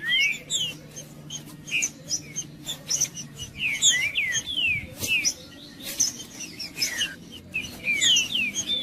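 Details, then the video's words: Provocative song of a male green-winged saltator, used to excite other birds: repeated descending whistled notes mixed with sharp higher chips and clicks across a busy stretch. "Trinca-ferro Macheando 🔥 Trinca ferro cantando Para Esquentar Trinca ferro"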